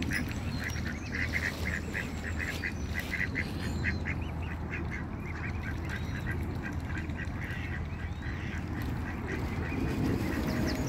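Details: Several ducks on a pond keep up rapid quacking, about four short harsh notes per second with uneven spacing, then fade slightly toward the end over steady low background rumble.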